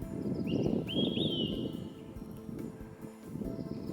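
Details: An Olive-sided Flycatcher in Nova Scotia, in spring or early summer 2025 during the breeding season, gives its loud whistled 'quick-three-beers' phrase, a short note and then two slurred higher notes, over background music.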